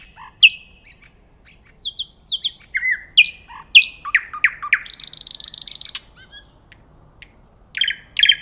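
A nightingale sings varied phrases: sharp downslurred whistles, rapid rattling trills and a fast buzzy stutter, all high-pitched with brief pauses between phrases.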